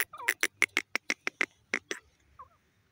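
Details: Wild grey francolin calling: a fast series of about a dozen sharp, shrill, evenly spaced notes over two seconds, then a short softer note after a pause; quiet background.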